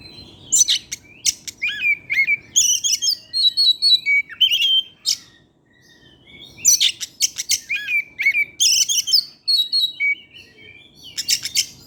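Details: Oriental magpie-robin in full evening song with varied material, used to lure other magpie-robins into singing: long bursts of clear whistles, harsh buzzes and rapid chips, broken by two brief pauses.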